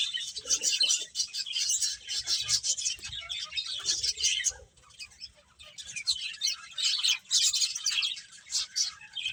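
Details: Many finches chatter as they eat, high thin chirps crowding together in bursts, a short quieter lull near the middle before the busy twittering resumes.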